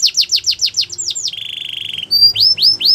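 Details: Canary song for training: a rapid series of falling whistles, a steady buzzy trill lasting nearly a second, then slow rising slurred whistles repeated about every quarter second.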